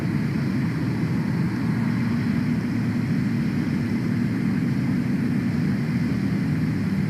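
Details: Continuous engine drone, like a propeller aircraft or idling vehicle, fills the recording with no animal calls.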